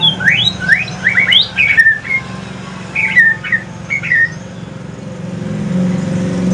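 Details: Mutated Aceh pastol white-rumped shama singing at evening; a fast series of steep upward whistled slurs, then short warbled phrases with pauses, against a low steady hum.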